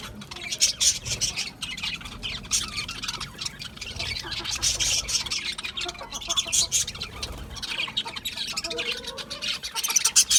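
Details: Budgerigars chirping in a continuous, dense chatter of scratchy high twitters and squeaks, with a few sharper whistled notes near the start and end, and little pause throughout.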